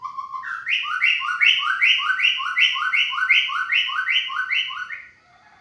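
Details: White-rumped shama repeating a loud, clear two-part whistled phrase: a lower note sliding into a higher one, given about ten times in quick, steady succession.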